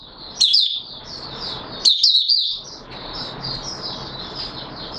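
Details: Oriental white-eye, 24 March 2022: two brief bright bursts of high twittering, then a long faint run of thin, high warbling notes half-buried in steady background hiss.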